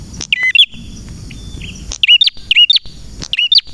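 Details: A male prinia sings bright, twisting two-part notes, high and slightly buzzy, in quick bursts about every half second, with faint clicks between phrases over background music.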